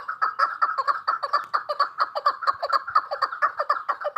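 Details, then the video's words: A female chukar partridge repeats sharp, even chuck notes at a brisk, regular beat, roughly two per second, each note clipped and slightly nasal. "Sound of partridges birds chakor keklik کبک الحجل zark چکور"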